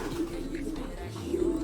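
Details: Domestic pigeon (kalapati) from a loft, described as brought from Japan; a low, soft, muffled cooing hum runs steadily through the short stretch, quiet against faint indoor background noise.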